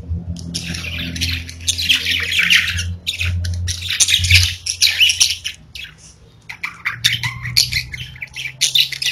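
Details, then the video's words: Pet budgerigars, several parakeets kept at home, chattering in dense scratchy bursts of chirps and squawks over about nine seconds, with short pauses between runs and a low steady hum underneath. "30 Minutes of Budgies Parakeets Singing, Chirping"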